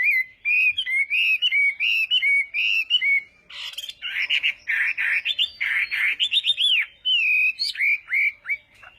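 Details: Chinese hwamei in morning contest singing: a steady run of short whistled notes, then louder, fuller slurred phrases and rising and falling whistles, delivered almost continuously with brief gaps.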